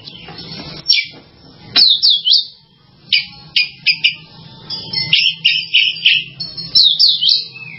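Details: Oriental magpie-robin giving a lively series of sharp whistled notes and short slurred phrases, fast and uneven in rhythm, grouped in bursts with brief silences, and a faint background hum.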